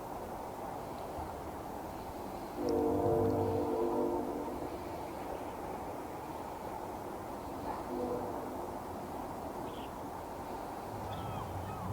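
A distant train horn sounds one long, steady, low blast over a constant rumble of rail traffic, with no clear animal calls.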